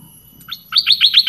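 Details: Red-whiskered bulbul from southern Thailand used as a lure. A brief, loud run of bright, even chirps quickly repeated, with a faint steady high tone in the background.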